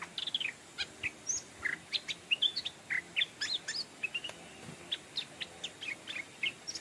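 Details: Stripe-throated bulbul, a caged decoy bird calling to lure wild birds, gives a busy run of short, bright chirps and slurred whistled notes, several each second, with a faint background hiss.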